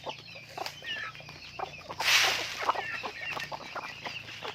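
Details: Chickens on a farm chirp in a busy overlapping chorus of high peeps, with one louder, harsher burst standing out midway.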